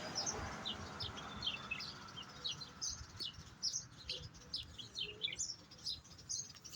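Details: A European goldfinch trained in the Jahmoumia song style sings in a singing session: quick, scattered high chirps and short twittering notes, fairly faint, over a low steady background hum.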